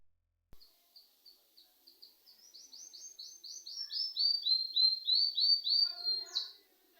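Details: Bird chirping at home: a run of short repeated notes, slow at first and then speeding into a fast, loud rolling trill of rapid chirps, with a few softer low notes near the end.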